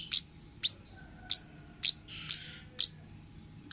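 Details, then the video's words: Orange-headed thrush of the wild forest 'ngalas' type, used as a lure recording for young birds: sharp, very high chirps, several sweeping downward, repeated about every half second, with a short buzzy rasp between them over quiet background hiss. "suara burung Kemade ngalas--Pancingan Kemade bahan"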